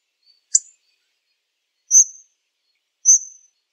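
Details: Hawfinch giving one abrupt high tick followed by two thin, high, slightly descending seee notes spaced about a second apart, clean and quiet background.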